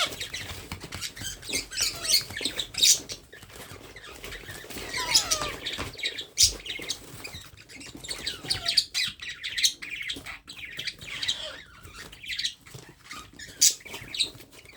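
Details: Hand-fed baby parrot calling in a continuous run of short scratchy chirps and squawks, rising and falling in loudness, with light handling noise underneath.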